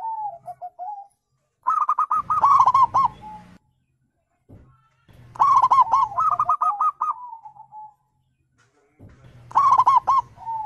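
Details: Zebra dove wild call used to coax non-singing birds into answering: three separated phrases of fast staccato coos, each ending in a slurred falling tail, with low rumbling between bursts.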